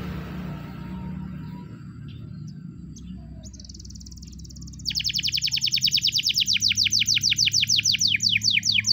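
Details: Morning training song of a Spanish Timbrado canary, beginning after a quiet stretch of low background hum, then a loud, rapid metallic trill of repeated downward-swept notes.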